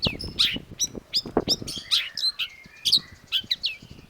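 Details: Long-tailed shrike singing busily: a varied run of short bright chirps, downslurred whistles and brief buzzy notes in quick succession, with low thudding sounds beneath.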